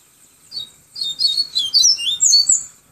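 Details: Yellow-bellied seedeater in Pero Vaz, Salvador, Bahia, singing the tui tui viviti flautado song style: a lone high note, then a quick, fluty, warbling run of sliding twittered notes for about two seconds.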